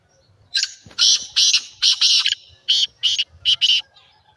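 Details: Black francolin (kala teetar) giving a loud, harsh call used to stir francolins into calling: about eight grating, buzzy notes in clustered bursts across four seconds, with little else audible.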